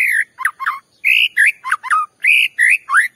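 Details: White-rumped shama singing as a lure to rile other shamas: loud, clear whistled phrases mixing sliding upslurs with twisting downward notes, delivered in quick rhythmic bursts.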